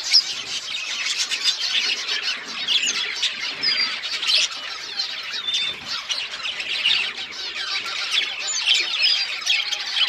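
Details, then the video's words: Pet budgerigars chirp nonstop, a dense, loud flock chatter of overlapping high warbles, squeaks and short whistled notes, steady throughout with no pauses. "Budgies bird talking sounds birds chirping"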